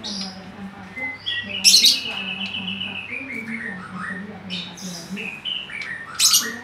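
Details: Oriental magpie-robin singing vigorously: sharp high chirps, then a long, sliding whistled note that gradually falls, and clipped notes, with people talking quietly and a low hum in the background.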